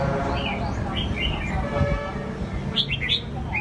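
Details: Short lively warbled notes from a caged red-whiskered bulbul, a combative show bird, with a louder quick burst of chirps near the end; low rumbling noise and faint talk underneath.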